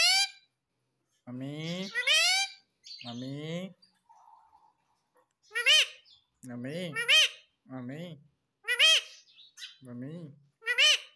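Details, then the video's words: Green ringneck parrot kept as a pet, talking indoors: repeated short mimicked words with strongly harmonic, rising and falling tones, in bursts every second or so, with a few quiet gaps. "पापा मम्मी बोलने वाला मिट्ठू || Talking Parrot || Papa Mummy Bolega Mitthu"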